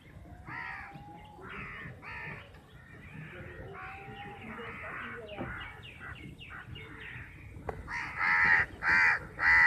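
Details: Many crows, about fifty, fighting over a chapati; harsh repeated caws overlapping in a noisy crowd, a steady low rumble beneath, louder grating calls near the end.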